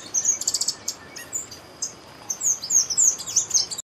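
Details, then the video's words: A chestnut-vented conebill sings a rapid series of very high, thin, sibilant notes and short down-slurred tsee phrases, about three per second, with faint background hiss. "O canto da Figuinha de rabo castanho"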